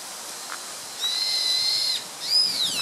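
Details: A rare song thrush (Turdus philomelos) recorded in Japan on 24 March 2014 gives a thin, high, drawn-out whistle lasting about a second, then a brief falling note, over a steady background hiss.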